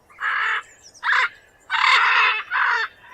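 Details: Loud, coarse macaw screeches: four broad, raspy calls in about three seconds, the third the longest and strongest.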